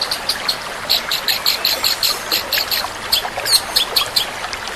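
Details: Long-tailed shrike delivering a super-fast 'tembakan' song: steady, rapid series of sharp high chipping notes, evenly spaced and unbroken, over a hissing, trickling background.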